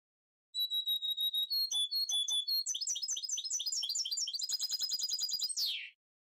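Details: Goldfinch mule (goldfinch × canary hybrid, pied, with dark bib, freshly moulted) sings a fast five-second run: clear repeated whistles, then rising twittering chatter and trills, ending in a falling slur.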